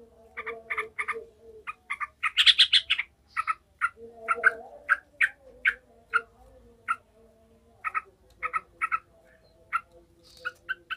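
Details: Emotional, agitated yellow-vented bulbul, whose sound serves to train other bulbuls to fight, chatters in short harsh notes, with a louder burst of rapid notes early on and evenly spaced single notes afterward over a low hum.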